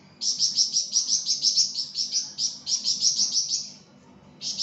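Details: Flamboyan singing vigorously in a tutoring recording for songbird keepers: a fast run of high, sharp chirped notes, about a dozen in quick succession, a short pause, then the run starting again.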